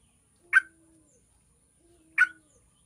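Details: Yellow-vented bulbul used as a lure to prompt other bulbuls to sing: two short, full, liquid chirps about one and a half seconds apart, each followed by a faint low tone, with a quiet background.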